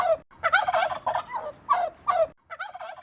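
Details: Turkey gobbling loudly in rapid, rattling bursts: a long quavering run of throaty notes, then a shorter burst, and a final gobble after a brief pause.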